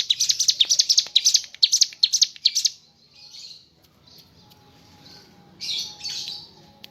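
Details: Mountain leaf warbler singing in energetic 'ngebren' bursts: rapid high, sharp chirping notes for about three seconds, then softer scattered twitters after a short pause.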